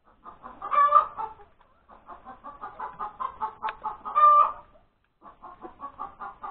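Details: Hen announcing her egg at breakfast time on Sunday, January 31, 2021: a loud drawn-out squawk, a long train of rhythmic clucks climbing to another loud squawk, then clucking resumes.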